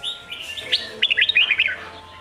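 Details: Red-whiskered bulbul singing Sông Kôn style, used for training young birds' competition voice; soft sliding whistles build into a bright, quick burst of about eight jerky warbled notes.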